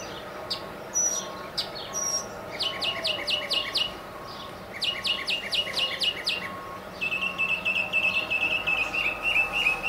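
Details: Male northern mockingbird singing from the top of a tall mesquite tree in central Arizona: bursts of rapid repeated dry chips, phrases separated by short pauses, ending in a fast rolling trill.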